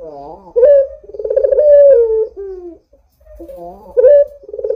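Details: Lure recording of an actively calling Barbary dove: quick stacked introductory notes, a loud throbbing coo that sinks in pitch, a brief softer note, then the next coo beginning after a pause.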